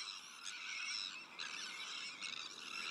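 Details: Sandwich terns at their breeding colony among black-headed gulls, Arctic and common terns; strident grating cries pile up continuously, with sharper bursts standing out about every second.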